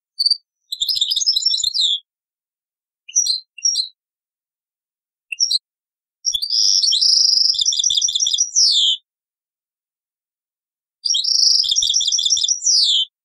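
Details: European goldfinch, taqsrain-style song off an old cassette: scattered short twitters, then two longer phrases of buzzy trill and quick tinkling notes ending in falling slurs, spaced by pauses.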